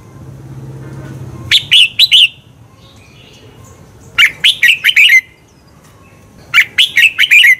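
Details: Red-whiskered bulbul song used to excite birds into singing contests; three phrases of four to five warbling, slurred whistles, each about three seconds apart, over a faint low hum at the start.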